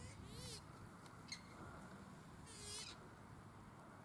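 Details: Australasian swamphen (pukeko) in Waterford park, Christchurch, in April 2019. Two harsh, nasal, harmonic screeches, one brief and one longer, rise above a steady background hum.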